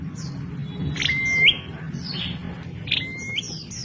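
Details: Bar-winged prinia, known locally as prenjak klawu, making a strange call: a harsh note running into a flat whistle with a rising flick at the end, heard twice, the second fainter, among thin high chirps and low rumble.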